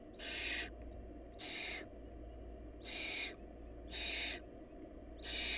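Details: Barn owl nestlings short of food: five hoarse hissing screeches at irregular intervals, broad and noisy, a continuous low hum beneath.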